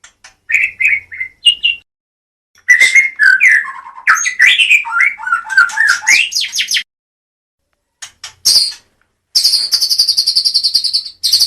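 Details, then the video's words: Murai from Medan, a white-rumped shama, singing loud varied whistles and slurs followed after a pause by high, thin buzzy trills in repeated bursts. "kicau murai medan"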